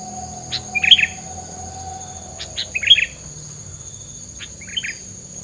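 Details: Bird song offered as isian filler that keeps rivals away; sharp upward chirps followed by quick twittered phrases, repeated roughly every two seconds against a continuous high insect whine.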